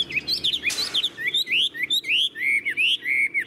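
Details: Caged, tame Chinese hwamei after a brief rustling burst: clear slurred upward whistles repeated about three times a second, bright and loud.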